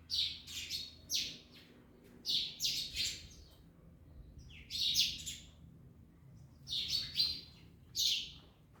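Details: Parrots, locally called mian mithu, eating an orange: short shrill chirping bursts, high and raspy, coming in clusters of two or three with brief pauses between groups.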